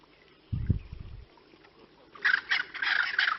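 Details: Birds give harsh, scratchy alarm calls in a rapid run of bursts during the last second, after a brief low thud, near an African wild dog pack. Another wild dog then walked in and startled the pack.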